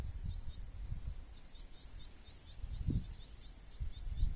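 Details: Great tit feeding its young: a steady high, trembling, sizzling chorus pulses gently throughout, while low bumps and rustles, one stronger near the third second, sound below.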